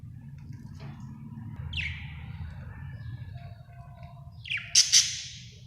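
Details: Happy budgerigar chirping: two short, high, bright chirps, one sliding downward near the middle and a louder sharp pair near the end, over a steady low background hum.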